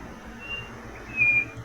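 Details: White-bellied Nothura, found across northeastern Brazil, gives thin, high, level whistles: a faint first note, then a clearer, louder one about half a second later, over soft background hiss; often heard in rural fields.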